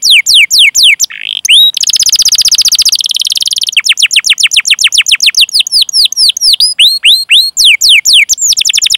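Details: Canary, long chirping and rolling song for prompting young or silent canaries: quick descending whistled notes, a long buzzy trill, then many repeated falling and hooked chirps.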